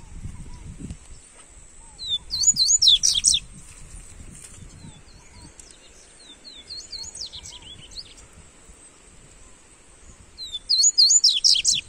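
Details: Double-collared seedeater (coleiro) song for warming up a bird: two loud bursts of fast, high, slurred and twisting notes about eight seconds apart, with softer scattered chips between them and low background noise.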